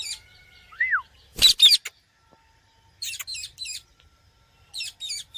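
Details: Parrot giving a curved, arching whistle note, then a loud double screech. Softer, scratchy chirps come in small clusters afterward.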